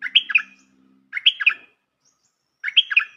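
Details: Trapping lure of a bulbul: three lively chattering phrases of quick slurred notes, repeated at steady intervals of about one and a half seconds, with a faint low hum under the first.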